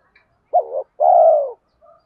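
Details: Spotted dove used as a lure bird, with a deep 'thổ' style voice: a short rising coo, then a longer, loud, steady coo lasting about half a second. A faint note follows. The background is otherwise quiet.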